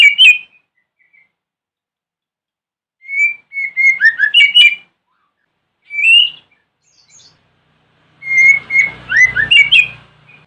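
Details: Morning lure song of a white-rumped shama, used to make other shamas respond: separate bursts of sweet whistles and quick slurred phrases, with a low electrical hum under the last burst.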